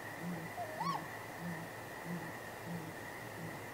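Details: Great grey owl pair at the nest at night, 23 April 2019, exchanging contact hoots with possible mating, on a live nest camera: very low, faint hoots repeated about every half second, with one brief higher rising-then-falling squeal near the start.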